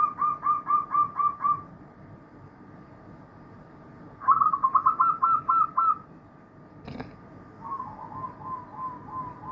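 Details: From a chorus of many zebra doves: crisp staccato series of short, bright cooing notes, six or seven at a time, repeated in three bursts separated by pauses, with one sharp knock midway.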